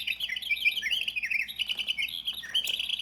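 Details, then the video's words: Winter wren, a tiny bird, song played back: a continuous, rapid, tinkling cascade of high trills and twittering notes pouring without pause for three seconds, bright and bubbling throughout. "And we're going to play him because he's just such a beautiful song."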